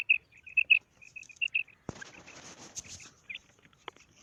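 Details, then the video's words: Female quail calling, recorded by hunters in South Asia: a run of short high chirping notes repeated rapidly for nearly two seconds, then a sharp click and scattered chirps over rustling noise. "Female Quail Calling karkari Maadi Ki Awaz"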